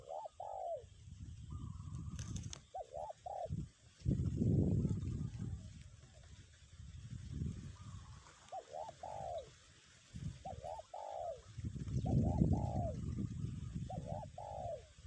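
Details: Spotted dove used as a decoy keeps calling kuk 1 in strong wind. Paired rising coos end in a longer falling note, repeated in phrases every few seconds, while wind gusts swell and fade between them.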